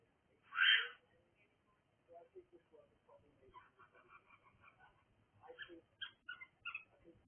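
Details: Cockatiel noise: one loud harsh screech at the start, then a scattering of soft chattering notes and a burst of short repeated chirps near the end.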